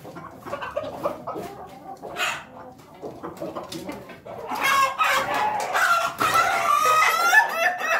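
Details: Pelung chicken crowing in a long, strained, wavering call that rises and holds, following several seconds of scattered clucks and knocks amid noisy surroundings.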